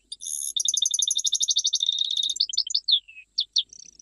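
A European goldfinch sings a fast, bright, tinkling trill for over two seconds, then breaks into varied high twittering notes and short chips.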